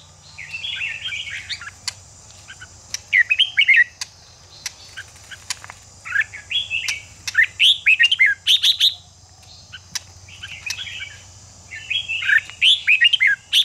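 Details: Red-whiskered bulbul singing, a recording meant to fire up caged birds for contest singing: repeated short bursts of quick, varied warbling and chirps with sharp clicks between phrases, steady low hum behind.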